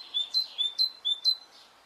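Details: Bird song on a spring morning in Brittany, France: a series of short, clear whistled notes, each rising into a high held tone, given about every quarter second in a quick run of five or six, with a quiet background.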